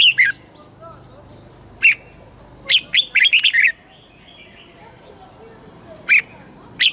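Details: Thai red-whiskered bulbul with southern master-style song, played to rouse birds and teach young: spaced sharp chirps and one quick phrase of several warbled whistles, with gaps of quiet between.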